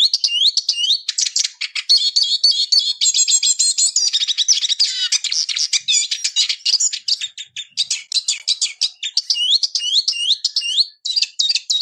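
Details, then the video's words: Eurasian siskin singing a fast, continuous twittering song of high chirps and rising slurred notes, delivered in rapid bursts with hardly a pause over twelve seconds. "EURASIAN SISKIN SONGS Spinus Spinus Singing"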